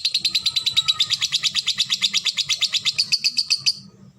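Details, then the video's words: Lovebird ngekek: a rapid, even series of high, scratchy pulses for nearly four seconds that fades out at the end, with low speech faintly behind. "Love bird ngetik ngetik ngekek durasi jeda rapet."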